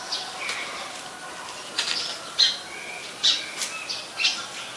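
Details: Song of an Oriental magpie-robin recorded 26 December 2020 in Ubon Ratchathani, Thailand, where it is a very common resident: clipped high whistled notes and short descending slurs about once a second.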